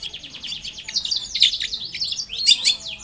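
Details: Rapid chattering song of a long-tailed shrike, played to coax other shrikes into calling: a fast, continuous stream of high twittering and slurred whistled notes, growing louder toward the end.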